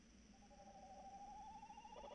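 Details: Short stretch of a tawny owl's quavering hoot, a soft trembling steady tone building in the second half, over low background hum; evening of 3 March 2018, about 21:14.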